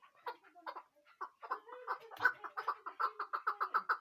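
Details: Chukar partridge giving lower, clucking chuck notes that start sparse and soft, then quicken into a regular, louder rhythm of about two to three notes per second.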